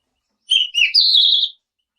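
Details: Selendang biru song, played as a lure said to make nearby birds answer at once: a short burst of clear high whistled notes, a dipping buzzy phrase, then a long steady whistle with rapid flutter, in silence.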